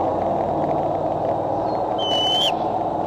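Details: Bald eagle at the Decorah nest, recorded by a nest camera on July 6, 2011, afternoon or evening, birds coming and going: one short high whistle sliding slightly upward, then dropping at the end, amid constant rushing background noise.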